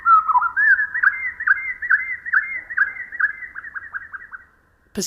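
Pacific Wren song slowed to quarter speed: a long run of low, slurred whistled notes, each dipping and rising, about two per second, ending in a brief thump.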